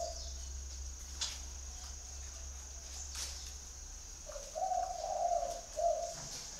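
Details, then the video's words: Spotted dove calling: a soft low cooing phrase of three or four notes arrives late, after a long quiet stretch with a steady hum and a high hiss, plus a couple of faint clicks. "chim cu gáy gọi"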